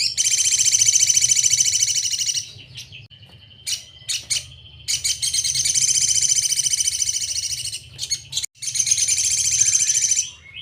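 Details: Crimson sunbird (sogon) tutor song: long, dense, high buzzy trills with rapid pulsing notes, broken by short pauses and a few sharp chip notes, then the trill resumes; faint low hum underneath.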